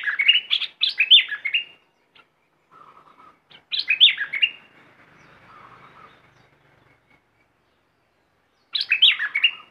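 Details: Red-whiskered bulbul decoy bird in an aggressive style, giving loud bursts of rich warbled whistled phrases, each about one and a half seconds long, separated by quiet gaps with a faint low chatter between them.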